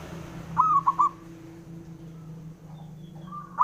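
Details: Male zebra dove, local bird, calling to stir rivals into answering; a short burst of three fast hollow coos, then quiet hum, and the start of another coo phrase at the end.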